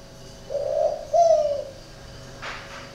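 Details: Captive spotted dove at a Ba Vì, Hanoi dove garden, with a distinctive coo. One two-part coo, a breathy note then a smoother drawn-out one, is followed by a brief soft click.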